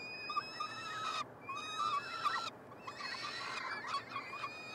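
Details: Begging peregrine falcon nestlings, three siblings being fed in a nestbox at the University of Montreal, Quebec, on 21 June 2022. Overlapping harsh, wavering cries merge into a continuous chorus broken by brief silences.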